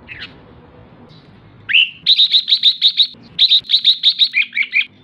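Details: Female red-whiskered bulbul calling to excite males: a short rising note, then a fast run of about a dozen sharp, high chirps, a brief pause, and another run ending in lower, slurred notes.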